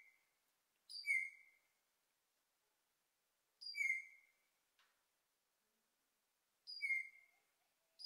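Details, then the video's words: Australasian figbird, a visitor near Agnes Water, gives part of a call that lasted a few minutes: a short, loud, slightly descending whistled call with a harsh edge, repeated about every three seconds, otherwise quiet. "The call of the Australasian Figbird"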